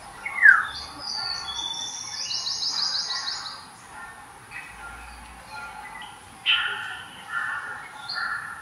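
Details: Black-naped orioles give their signature keeyaww call: an adult and another bird nearby, one of them a juvenile, on January 14, 2022. A short sharp note, then a harsh, nasal drawn-out call, with high trills and chirps from other birds behind.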